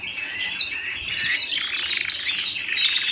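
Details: Canary singing at home: rich unbroken warbled song, tightly packed trills and rolling notes without pauses.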